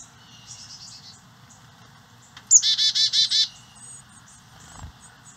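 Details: Carolina chickadee at a birdhouse nest in St. Cloud, Osceola County, while adults feed nestlings insect eggs and larvae on a native-plant property. Soft thin high notes lead into a loud run of five harsh, buzzy, evenly spaced notes, then faint chips.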